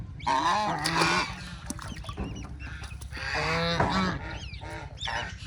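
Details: Baby ducks playing in water: nasal, honking quacks in two bursts, mixed with thin, high peeps, over a steady low hum.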